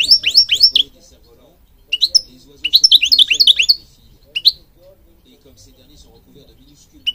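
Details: Moroccan goldfinch song in broken phrases: fast twittering bursts of high, slurred notes, a single clipped note, then long quiet stretches.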